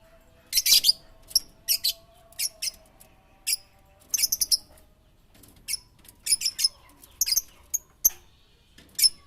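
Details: Bird chirping in short high squeaky notes, delivered singly or in small clusters at irregular spacing over about nine seconds, with a faint background hum.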